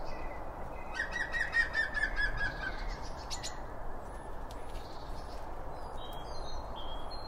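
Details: Birds chirping while feeding around a feeder, binaural pair of microphones next to the feed: a rapid run of repeated short notes early on, then scattered thin high tweets over low rumbling ambience.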